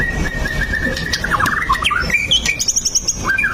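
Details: White-rumped shama song played as a lure to get other shamas singing: a long steady whistle, then quick rising and falling notes and high sweeps, with a faint low hum underneath.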